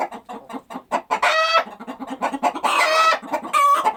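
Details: Soft, evenly spaced low clucks from chickens, interrupted by three loud, drawn-out squawks.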